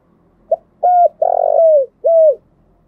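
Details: Spotted dove lure song for stimulating decoy birds. One complete phrase: a short pip, a flat clear coo, a long harsh coo bending downward, then a final falling coo.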